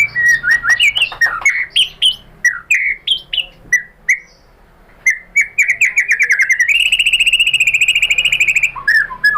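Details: White-rumped shama lure song meant to trigger singing: rapid varied whistles and slurred notes, a brief pause, then quick phrases building into a long fast trill of repeated notes, ending with descending whistles.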